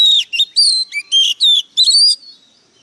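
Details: Agitated Oriental magpie-robin lure bird delivering a fierce, strong song: six loud, clear whistled phrases, some rising and some falling, separated by short gaps, then fading into silence.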